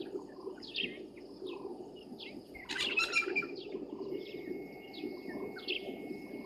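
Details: Blacksmith lapwing (Vanellus armatus) at Gowrie dam waterhole, Djuma Game Reserve, Sabi Sand, South Africa, at 05:25 on 22 January 2023, near terrapins: sharp, metallic 'tink' notes at irregular intervals, with a louder clinking burst midway over low rumble.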